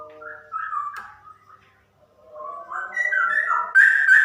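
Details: Female straw-headed bulbul singing in a rapid 'ropel' style: rich whistled phrases rising and falling, with a short quiet pause mid-way, then louder, higher fluty notes building toward the end.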